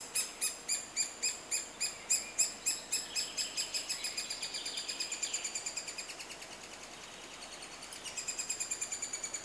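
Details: Three-toed woodpecker in Estonia during nesting season, at a nest hole dug in soft, aging wood. Sharp, ringing notes with bright overtones repeat about three to four times a second, loud at first, then fading into a softer, faster run before swelling again.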